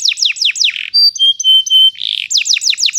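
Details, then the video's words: Canary singing a long rolling song used as a lure and teaching model for young canaries learning to sing: rapid repeated descending whistled sweeps, then steady pure whistled notes, then another run of falling sweeps. "GAcoR NgerollL Panjang, Pancingan untuk kenari Paud Belajar bunyi"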